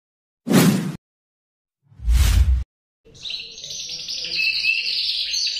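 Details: Male canary singing: two dull low thumps open the recording, then from about three seconds a continuous bright warbling song of rapid trills and sustained whistled notes.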